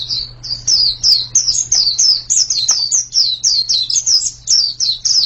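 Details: Rapid white-eye song of high, thin, dropping chirps, evenly spaced and repeated without pause, with a steady low hum in the background.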